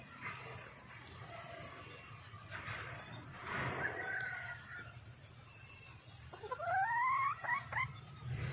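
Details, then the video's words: Red junglefowl hen calling for a mate amid constant insect buzzing; faint notes early on, then a few loud, rising, squawking calls break through near the end. "le bruit d'une poule sauvage,เสียงไก่ป่าร้องหาถู่หาตัวผู้,ສຽງໄກ່ປ່າຮ້ອງຫາຄູ່ຮັກ, poj qaib qus see"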